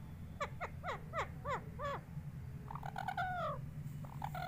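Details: Pet parrot, described as talking, utters five quick downward-sliding squeaks. After a short pause come a few longer, harsher notes that fall, over a constant low background hum.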